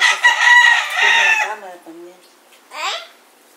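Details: Two roosters yell at each other beside a cock fight in Puerto Rico during winter 2014. A loud, strained, harmonic crow runs about one and a half seconds, followed by Spanish speech and a shorter rough call.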